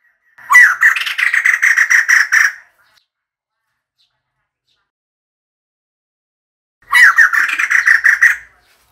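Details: Two loud bursts of harsh, fast chattering from a female White-crested laughingthrush, each about two seconds long and separated by four seconds of silence. The call is used as a decoy.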